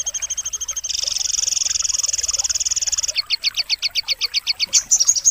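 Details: Sogon from Pangandaran singing high, rapid trills: a steady fast chatter that tightens into a buzzing rattle, then breaks into separate sharp, evenly spaced notes and a final burst.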